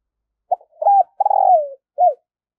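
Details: Decoy spotted dove cooing to attract wild doves: a brief note, a rising coo, a long drawn-out falling coo and a short final coo, clear and close.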